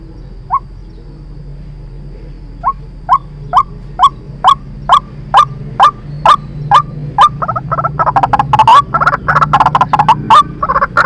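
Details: White-breasted waterhen lure recording for trapping: spaced upslurred notes speed up into a steady series, then break into a dense, overlapping, harsh chattering chorus in the final seconds.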